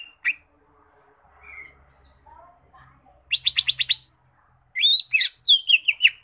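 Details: Lesser green leafbird singing: a faint low hum and soft scattered notes give way to a rapid burst of about six sharp, evenly spaced chips, then a pause and a second run of bright slurred whistles, several sweeping downward.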